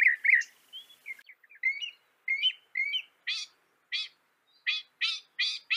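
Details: Northern mockingbird song from North America, with slurred whistled notes and short twangy phrases giving way to a run of harsh, broadband chack notes repeated roughly every half second.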